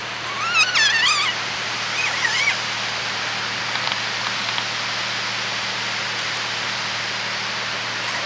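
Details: Kea, the alpine mountain parrot: a few wavering, harmonic-rich calls come early, then a single rising call. All are set against a steady rushing background noise.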